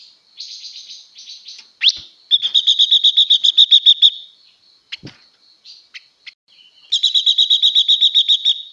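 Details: Female blue-winged leafbird singing, said to excite males: varied high chattering phrases, a sharp rising note, then fast repeated trills of bright clicking notes around two bursts, with brief pauses between.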